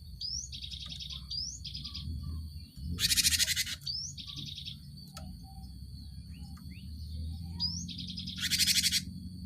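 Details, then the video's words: Cinereous tit used to stimulate caged birds into song: rising whistled slurs, each followed by a short pulsed trill, repeated several times, broken by two loud harsh buzzy chatters, over steady low background noise. "Pancingan gelatik batu untuk merangsang burung ombyokan cepat bunyi"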